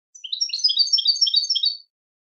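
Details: European goldfinch delivering a fast, dense jingling phrase of overlapping high tinkling notes lasting under two seconds, lively and continuous.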